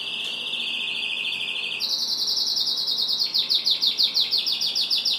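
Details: Yellow canary kept with its chicks, singing a loud high trill: a steady buzzy tone for almost two seconds, then a higher rapid rattling trill with pulses running about three per second.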